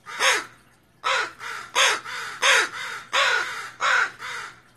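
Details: Northwestern crow alarm at a raccoon: a rapid run of about eight loud, grating caws following one opening call, delivered almost back to back.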